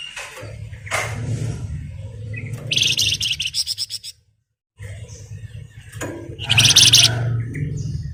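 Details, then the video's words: Flamboyan bird lure to provoke singing: high, rapid, rattling trills come in two bursts over a steady low hum, with brief chirps and a short silent gap. "Pancingan Burung Flamboyan Gacor"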